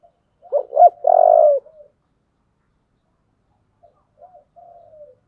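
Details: Spotted dove cooing in the "giọng thổ" song style: a loud phrase of low hooting coos ending in a drawn-out, rolling, slightly buzzy note, then a softer, fainter repeat of the phrase after a pause; no other sounds.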